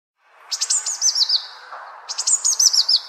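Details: Songbird singing in a city park, giving two high, quick phrases, each opening with sharp chips and falling into a run of bouncy, wavering notes, over a soft low background hum.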